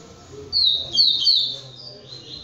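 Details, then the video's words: Double-collared seedeater, a captive-bred singing bird, giving a rapid burst of high, bright twittering notes with sharp slurred whistles, about two seconds long, over a faint low hum. "COLEIRO POLACO GALADOR"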